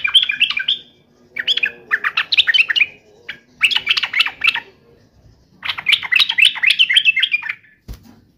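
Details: Yellow-vented bulbul singing hard to taunt a rival: four dense bursts of rapid, bubbly, slightly harsh chattering notes, each about a second or more long, with short silences between and a faint low hum underneath.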